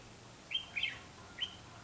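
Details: Red-whiskered bulbul recorded during a trapping session on 19 September 2016, likely a decoy bird. Three short whistled notes, each bright and slightly rising, with a quick pair followed by a single note after a pause, over quiet background hiss.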